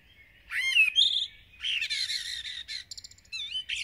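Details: Common blackbird singing intensely at dawn in a village, a fluted opening whistle giving way to a dense, scratchy, chattering warble and thin high squeaks with barely a pause.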